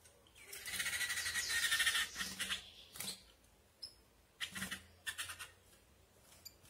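A female Saffron-billed Sparrow gives a burst of rapid, high, twittering chatter, then scattered sharp chips, calling to excite males.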